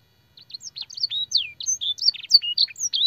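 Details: Canary master song for training canaries, packed with blackthroat and sanger phrases: fast, varied high whistles, trills and sweeping slurred notes in a dense, continuous stream.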